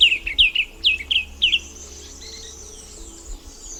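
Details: White-capped tanager, or diademed tanager, giving four paired whistled notes, each sliding down and then flicking up, spaced about half a second apart, followed by faint high background calls.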